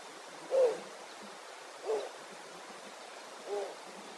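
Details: An adult male Snowy Owl at Barrow, Alaska, gives three low, slightly falling hoots about one and a half seconds apart over a steady hiss of wind.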